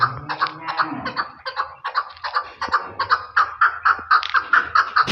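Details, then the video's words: Repeated chuck notes from a chukar partridge (chakor) in Pakistan, delivered in a quick, even series that becomes louder and clearer toward the end. "Chakor | chakor ki awaz"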